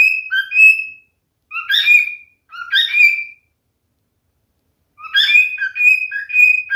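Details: Male cockatiel singing: one whistled phrase, two short chirpy bursts, then after a long pause a rolling run of bright whistles rising and falling in pitch.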